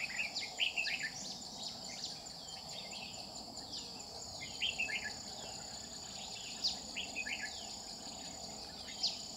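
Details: Red-whiskered bulbul ('Má lỡ' type) during a trapping session on 30 July 2019; bright, chattering warbled phrases repeat every second or two above a constant shrill insect chorus.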